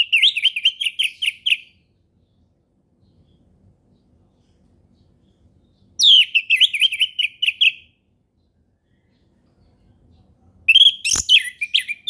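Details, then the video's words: Relaxed ngeplong song of an orange-headed thrush, meant as a lure for young birds to learn from: three matching phrases of quick, wavering, repeated whistles, each under two seconds long and roughly five seconds apart, with a single click during the last. "SUARA HUTAN ANIS MERAH NGEPLONG SANTAI"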